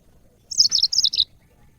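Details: Cage-bird training audio of a yellow-fronted canary: one crisp phrase of four or five high, quick chirps, each dipping in pitch, delivered in under a second against quiet low background noise.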